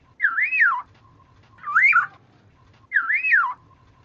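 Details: Black-naped oriole song used as a lure recording: a clear, fluty whistled phrase rising and falling in a wavy loop, repeated three times about every 1.3 seconds, with quiet pauses between.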